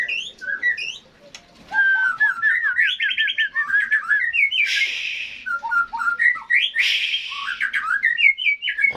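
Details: Songbird delivering a lively song of rapid rising trill runs and repeated slurred whistles, interrupted by two harsh noisy bursts.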